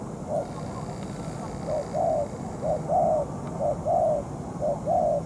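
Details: Molting spotted dove kept as a trapping decoy, calling at night while facing a wild dove; short soft coo notes followed by longer drawn coos in spaced groups, with steady low background hum.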